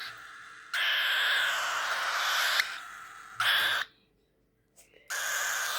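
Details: Hungry, tame baby cockatiels, newly moved to a big cage, give long, harsh, hissing calls in sustained bursts, with short silent gaps between them.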